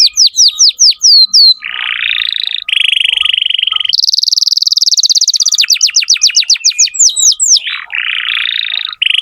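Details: Song of a lively canary played to train young canaries, shifting between tours: quick descending whistles, a harsh buzzy roll, a clear steady trill, a high fast pulsed roll, then sharp dropping notes and another buzz.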